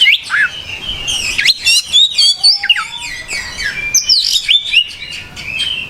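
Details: Lively gacor song of an oriental magpie-robin: dense, varied whistled phrases with steep upslurs and downslurs, rapid chirps about four a second, plus one lower, longer whistled note partway through.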